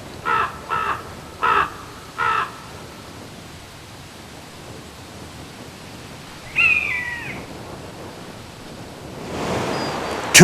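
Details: A common raven over sea cliffs, harassing an intruding buzzard, gives four short, harsh croaks about half a second apart; a higher, falling call follows later, then a burst of wind noise.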